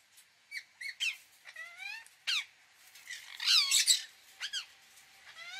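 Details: An Indian ringneck parakeet chatters with scattered squawks and short, whistled, bending notes, building to a dense, loud burst of screeches before quieter calls resume.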